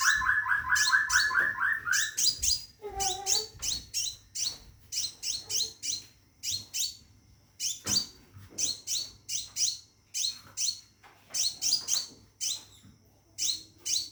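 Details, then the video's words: Scarlet minivet in a cage, calling a female to mate: opens with a fast lower whistled trill, then steady runs of sharp, high descending chirps in bursts of two to four, separated by short pauses. "Burung Seppah Raja Gacor Di Dalam Sangkar panggil betin kawin"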